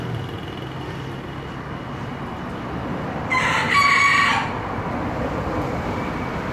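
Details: Green junglefowl crowing: a single short, hoarse burst of about one second, partly tonal with a rough ending, rising out of steady low rumbling background noise.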